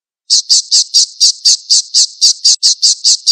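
A falcon gives a fast, harsh, high-pitched kek-kek-kek, about four shrill notes a second in a steady unbroken run.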